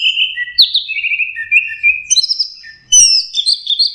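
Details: Practice song from a young orange-headed thrush learning to sing: clean, sweet whistles, some sliding downward, then a burst of higher twittered notes after a short pause; quiet setting.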